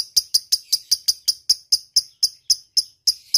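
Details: Sharp repeated ticks from a lovebird in ngetik style, meant to call an opponent: bright clipped notes spaced slightly unevenly, about three to four each second.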